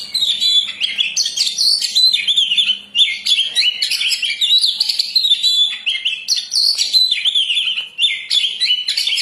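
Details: Master-style recording of oriental magpie-robin (kacer) song, used to train or lure birds: nonstop loud medley of sweet whistles, trills and scratchy notes, shifting pitch every fraction of a second, with short breaks.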